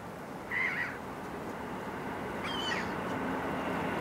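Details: Glaucous gull visiting downtown Tokyo near the Skytree, an occasional rare visitor, gives two brief, clear cries about two seconds apart, the second slightly rising, over a steady hum of city noise.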